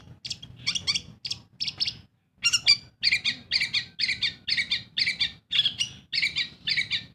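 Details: Long-tailed shrike, a pet bird, repeating a strong harsh chattering phrase about every half second, one loud burst after another, with low hum behind.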